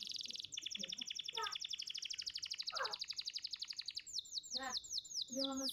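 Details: Young-canary training recording of a champion contest canary: a continuous high, fast rolling trill lasting several seconds, shifting into looping downslurred notes with brief lower warbles.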